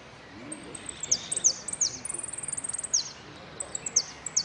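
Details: Saffron finch performing at a Merlo contest on 3 December 2017 in the song category 'sin cierre': very high, clear chirps and a rapid even trill of about a dozen notes, with little background noise.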